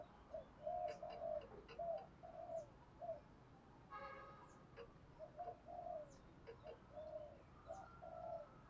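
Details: Spotted dove cooing in the 'thúc gù' style meant to stir decoy doves to coo back: a faint series of short mid-pitched coos in quick irregular succession, over steady background hiss, with faint high chirps from other birds.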